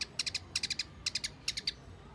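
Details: Wambi lure call: quick bursts of three or four sharp high chips, the bursts repeated about every half second over a low background hiss.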